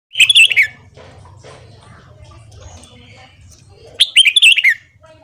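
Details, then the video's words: Red-whiskered bulbul, kept for training, giving morning song: two loud whistled warbling phrases, each under a second, wavering and falling in pitch, separated by about three seconds of quiet with faint background murmur. "Luyện Giọng Chào Mào Hót Sáng Kích Chào Mào Bổi"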